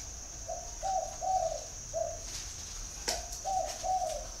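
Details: Spotted dove calling in Ba Vì, Hanoi, Vietnam: soft low coos in short groups, two or three notes, then a pause and more coos, with a steady high whine throughout and a sharp click midway.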